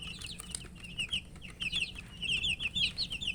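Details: Several thirsty chicks chirp while eating and wanting water, their high, bright, slurred peeps crowding together and growing louder toward the end, over soft clicks and a low electrical hum.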